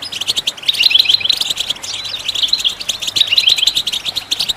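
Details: Busy goldfinch twittering meant to stimulate other birds to sing, a steady stream of quick tinkling notes rising and falling in small waves.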